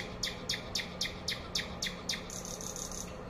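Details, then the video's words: Nightingale singing: a series of about nine sharp, evenly spaced notes at roughly four per second, then a faster, higher rattling run, over steady background hiss and a low hum. "nightingale singing"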